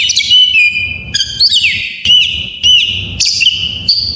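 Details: Whistled song of an Oriental magpie-robin, used to coax lazy caged magpie-robins into singing: clear, ringing whistles in short phrases, some sliding downward, repeated roughly every half second with sharp chips between.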